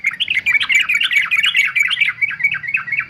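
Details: Fighter male yellow-vented bulbul kept for song training: a continuous fast babble of bubbly, warbling notes repeated more than twice a second, steady and loud throughout.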